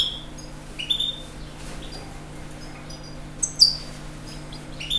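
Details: European goldfinch song of scattered high, thin, liquid twitters and sharp upslurred notes, separated by short gaps, over a low steady hum.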